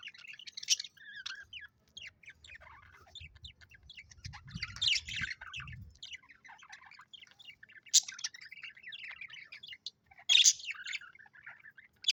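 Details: Colorful pet budgerigars keep up continuous high warbling and chirping, with louder squeaky bursts throughout and some low thumping handling noise early on.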